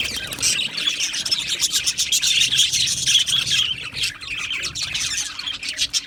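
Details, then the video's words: Many Australian budgies in an aviary colony chirping together, a busy stream of rapid high tweets and warbles, with short clicks repeated about twice a second and a slight lull near four seconds. "Beautiful Australian Budgie birds Chirping Sounds | Budgie birds sounds"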